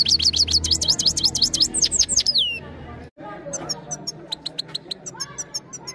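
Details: Trained European goldfinch singing, recorded on a phone camera: a quick run of repeated looping whistled notes ending in a falling slur, then a pause and sparse high ticks over low background rumble.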